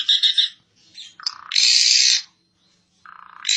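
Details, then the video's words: Asian pied starling singing vigorously as a tutor recording: a few quick pulsed notes, a lower steady tone, a long loud harsh rasp, silence, then a low buzzing note rising into another rasp. "Kicau burung jalak suren |Burung kicau jalak suren masteran|jalak uren gacor 2022"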